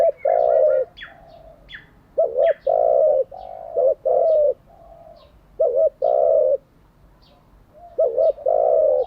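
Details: Spotted dove used for training decoy and wild-caught doves, cooing in loud paired phrases: a short doubled coo followed by a longer sustained coo, repeated every one to two seconds, with faint chirps of other small birds in the background.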